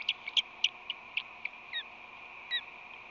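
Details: Osprey at a nest on San Francisco Bay at 6:55 am on February 20, 2020, as an unknown female makes a second visit: a rapid series of sharp, high chirps, then two slurred whistles, over a steady background hum.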